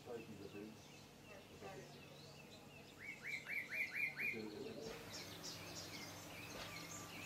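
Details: Bronze mannikin (Spermestes c. cucullata) at Kibuye, Rwanda, March 2013, gives a quick run of five short, sharp chirps in about a second, with other small birds twittering around and faint low murmurs.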